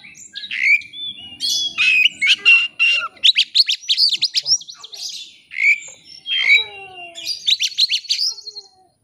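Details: Oriental magpie-robin pouring out song to call up a rival, played to coax others into showing their full repertoire: dense rapid chattering phrases, scratchy trills and clear whistles in long loud bursts, varied throughout.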